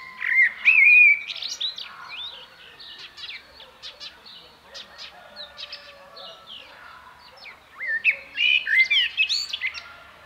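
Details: Mellow warbled phrases from a common blackbird at the start and again near the end, with a busy background of short high chirps from other birds in between.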